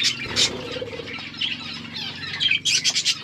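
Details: Budgerigars chirping in a forest-style aviary in Asia: dense, scratchy high chatter with overlapping squawky notes from several birds, louder bursts near the start and end, faint low hum underneath.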